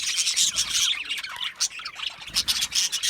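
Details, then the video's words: Content budgerigars from Australia give a brief burst of high, scratchy chirps in quick pulses with a small pause near the middle, then more clipped notes. "Budgie parrot chirping sounds"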